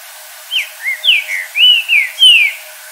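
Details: Green-winged saltator in natural surroundings at dusk, whistling a melodic phrase of paired swooping notes, each slurred up or down, building to long clear final glides; faint distant chirps accompany it.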